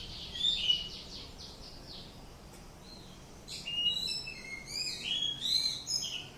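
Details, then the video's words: Indonesian greater green leafbird in ngatrok song, heard faintly: a soft burst of high, buzzy notes, a short lull, then varied thin whistles rising and falling against a steady background hiss. "Cucak ijo Indonesia ngatrok"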